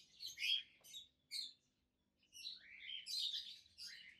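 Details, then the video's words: Two adult peach-faced lovebirds, both green, one with a red face and one with a yellowish white face, chirping: a quiet run of shrill, buzzy high chirps, then a pause, then a denser, slightly lower chattering burst. "Lovebirds Sounds - Peach-faced Lovebird"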